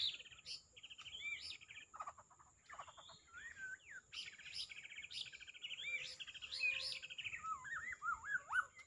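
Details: White-rumped shama singing a varied run of whistled phrases, buzzy trills and slurred notes, rising and falling, with several pauses; a steady faint high tone runs throughout.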